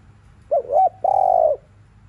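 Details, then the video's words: Afternoon coo of a spotted dove played to rouse other birds: a wavering two-note opening and a drawn-out steady coo falling slightly at the end, over soft background hum. "CU GÁY THÚC LIU RIU KÍCH BỔI BUỔI CHIỀU"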